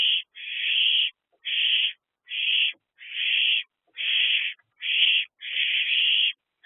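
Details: Owlets, a trio in an owl box at about 8:35 pm in late April, one or two holding food, produce steady rasping hisses in long bursts, almost back to back, each under a second.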